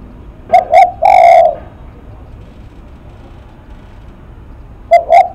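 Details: Lắc mặt cooing of a spotted dove: a pair of brief hollow notes leading into a drawn-out mellow coo, then a long pause before two more short notes begin again.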